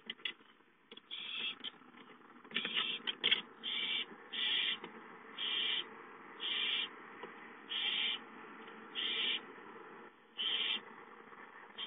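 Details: Owlets calling for food at home on 5-9-13: a steady run of harsh, breathy hissing screeches, each under half a second, repeated roughly every second, with scattered clicks and rustles early on.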